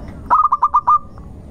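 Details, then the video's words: Brief phrase from a local zebra dove singing as a lure: six rapid, evenly spaced coos on one low tone, with the final note stretched longer, followed by a faint trailing pair. "irama Tembakannya ngotot di awal panjang di belakang merdu di tengah pancingan Perkutut Lokal Gacor"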